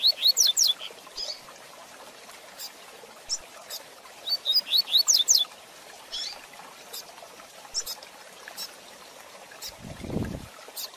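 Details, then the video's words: Fast Tui Tui Zel Zel song of a double-collared seedeater, played to train and teach young birds. Two brief phrases of rapid, high, slurred whistles, one opening the clip and one near four seconds. Scattered clicks and a low thump follow. "Tui Tui Zel Zel de Fibra Canato Rápido Para Treinamento e Encarte - Coleiro Professor Aprendizado"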